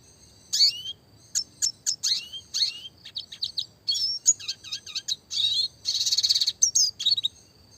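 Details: Classic red siskin in full song, delivered in the rapid 'roll tembak' style for training small songbirds: quick high twitters and downslurred whistled notes, a dense buzzy roll near the end.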